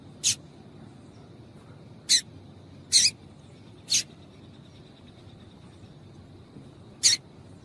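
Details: Calls of a female double-collared seedeater used to make males sing: five abrupt, rasping chip notes at irregular intervals of one to three seconds, one of them doubled, over steady faint background hiss.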